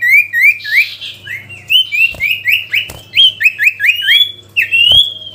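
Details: Sooty-headed bulbul calling to a rival in a continuous stream of sliding, ringing chirps, some dropping then rising, spaced roughly every third of a second, with occasional clicks and a low hum.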